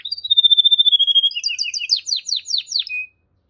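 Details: Canary singing a long, level, slightly wavering whistle that breaks into about ten quick descending sweeps, ending on a short flat note.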